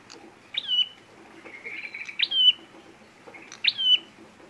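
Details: Red prinia call played to lure birds for trapping, described as a fighting call. Loud, high downward-sweeping whistled notes come about every one and a half seconds, with a short buzzy trill between them.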